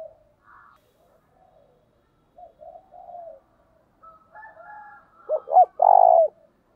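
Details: Spotted dove decoy calling to attract wild doves: quiet scattered coos and a few higher faint notes, building to a loud phrase of two short notes and a long buzzy final coo.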